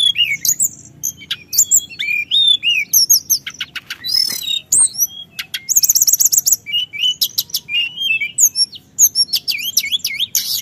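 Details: Sunda whistling thrush singing continuously in long rolls, used to provoke other birds: rapid varied high chirps, sliding whistles and dense buzzy bursts with barely a pause, over a faint low hum.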